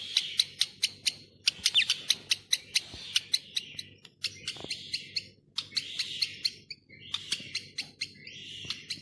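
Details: Boat-billed heron chicks at Zoo Praha, one hatched that day and one four days old, handled during a regular check in September. Rapid trains of short, sharp, ticking calls run in quick bursts, pausing briefly between series.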